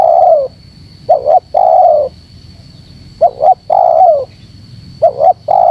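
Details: Spotted dove lure recording meant to bring birds together: three long, descending coos, each preceded by a short double note, in a slow, regular rhythm over a faint steady whine.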